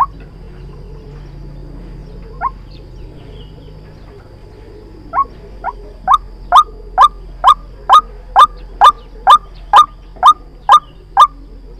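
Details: White-breasted waterhen lure call for trapping: two scattered notes, then a long regular series of about fifteen sharp upward-sliding croaks, roughly two each second, in quiet surroundings.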